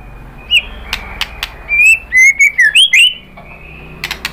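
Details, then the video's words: White-rumped shama singing to provoke other birds to sing: a run of clear, fluting whistled phrases, rising and falling, bracketed by sharp clicks and ticks. "PANCINGAN MURAI BATU GACOR bikin EMOSI jadi NYAUT BONGKAR MATERI ISIAN ¦ SHAMA BIRD"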